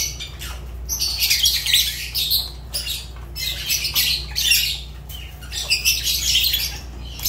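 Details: Harsh, high squawks and chattering notes from a Fischer's lovebird, delivered in dense clusters separated by brief pauses, with a constant low electrical hum beneath.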